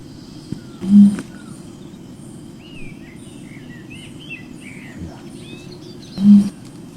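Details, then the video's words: A bare-necked umbrellabird in quiet rainforest gives two deep, booming, resonant hoots about five seconds apart over steady forest hiss, with faint high twittering from small birds between them. "Listen to the deep, resonant call of the bare-necked umbrella bird echoing through the quiet rainforest."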